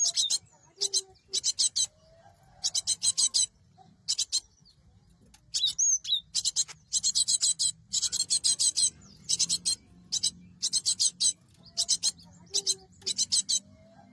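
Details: Cinereous tit calls played as a bird-trapping lure: a long series of grating, buzzy chatter bursts in irregular clusters, with a few soft thin whistles between the bursts.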